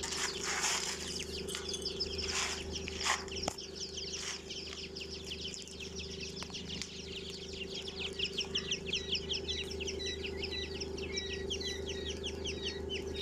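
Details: Twenty-day-old quail chicks raised at home on a farm in India: a flock gives thin high chirps, sparse at first, then dense rapid repeated peeps in the last seconds, over a steady low mechanical hum and occasional thumps.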